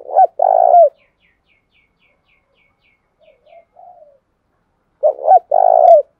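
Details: Spotted dove cooing in 'gù' style to attract and challenge wild doves: two full phrases of a double coo and a long purring note, quiet soft coos in between, and faint high chirps from another bird.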